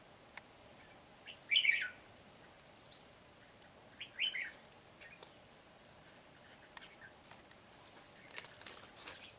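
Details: Decoy red-whiskered bulbul at a bird trap in Hòa Bình, Vietnam, 14 November 2020. A bright warbled phrase early on and a softer, shorter one about three seconds later, over a constant shrill insect drone.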